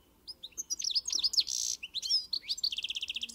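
A European goldfinch sings a fast, tinkling twitter of high liquid notes with a brief buzzy burst, then a quick even trill of repeated notes.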